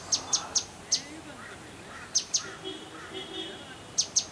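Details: Grey-headed canary-flycatcher (Culicicapa ceylonensis) calling in a hotel garden in Manali, Himachal Pradesh: very high, thin, sharp notes in quick bursts of two to four with pauses between, over a faint background murmur.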